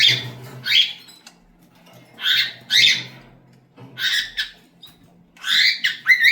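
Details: Raspy cockatiel screeches in paired bursts, with short pauses between the groups and a low room hum underneath.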